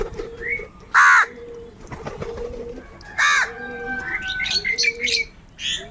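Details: Hungry crows eating together and fighting over food: two loud, harsh, rasping caws about two seconds apart, with steadier low tonal notes from other birds between them.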